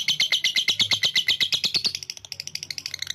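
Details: Lovebird in ngekek style, a long chattering trill used to provoke rival birds: rapid high buzzy pulses, about three per second at first, then quickening and thinning near the end.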